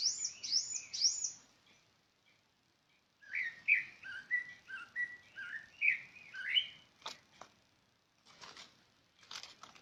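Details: A bird gives a few very high chirps, pauses, then runs into a lively string of lower, warbling chirps that rise and fall, followed by a few sharp clicks.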